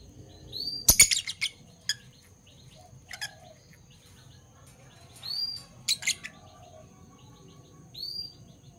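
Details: Two Fischer's lovebirds, parblue violet and parblue turquoise, chirp in the morning: a dense burst of clicks and squeaks near the start, then shrill upswept chirps returning every couple of seconds.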